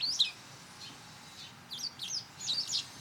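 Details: White wagtails calling in an autumn garden during intensifying territorial fights: a sharp, high chirp, then a quick series of buzzy, high twitters near the end.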